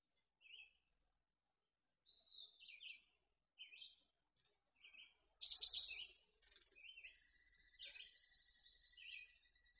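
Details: Mountain chickadee nestlings at Truckee preparing to fledge in June 2020: scattered high chips and slurred whistles, one loud buzzy burst, then a sustained, even, trilling tone layered with further chirps.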